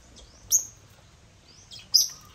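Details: African lovebirds (Agapornis) at a millet crane: two sharp, very high chirps about one and a half seconds apart, each with a brief sliding tail.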